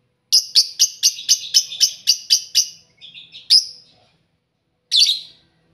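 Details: Lovebirds housed together in a single cage, noisy: about ten loud, sharp, high chirps in a quick even series, then softer twitters, one more chirp and a final harsh burst.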